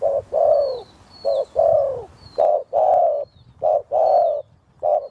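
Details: Wild Spotted Dove with a very deep voice approaching a decoy; steady run of low, mellow coos in short-long pairs, about eight notes in five seconds, with faint high chirps from small birds.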